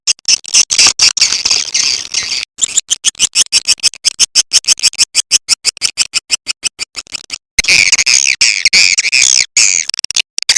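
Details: Swiftlet calling sound that swiftlet farmers in Indonesia use to attract birds: a fast series of sharp, buzzy clicking chirps about twice a second, broken by short gaps and bursts of dense, overlapping twittering chatter.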